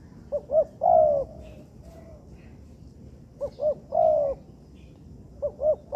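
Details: A spotted dove being trained in a man-made yard gives paired short hoots and drawn-out falling coos. The phrases are somewhat softer here, repeated three times with gaps between them.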